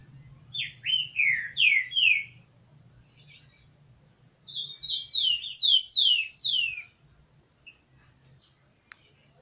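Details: Rufous-collared sparrow (tico-tico) song, a male alongside females: a run of four slurred, descending whistled notes, a short pause, then a faster string of higher slurred notes falling in pitch; a faint low hum beneath.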